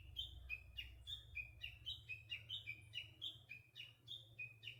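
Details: Spring song of a Japanese bush warbler: rapid, chattering, high notes flicking between a higher and a lower pitch, about four notes a second, faint against a steady low rumble.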